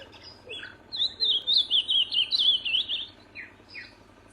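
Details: Ultramarine grosbeak singing in nature: a sweet, warbling, high-pitched phrase of quickly rising and falling notes lasting about two seconds, with a few short softer notes before and after. Faint background hiss.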